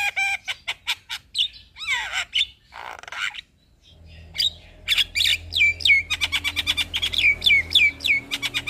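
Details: Captive black-winged starling song played to encourage stressed, silent birds to sing: sharp clicks, then a rapid series of loud chattering notes, each ending in a downslurred whistle, repeated several times a second.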